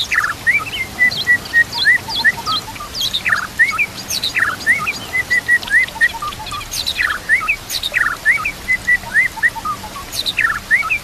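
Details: Training song of a White-rumped shama with nature sounds and running water: clear flat whistles and upslurred notes repeated in short phrases, mixed with brief crackling bursts and a hissing backdrop.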